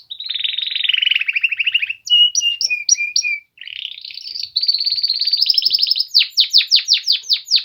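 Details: Polish male canaries sing a varied phrase: a rolling buzzy trill, paired whistled notes, a long high trill, and a burst of sharp downward-sweeping whistles at the end.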